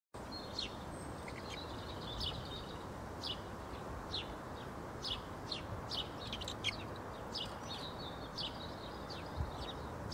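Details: Bearded vulture chick being fed at a zoo, giving thin, high, repeated chirping begging calls in quick irregular bursts over steady low background noise.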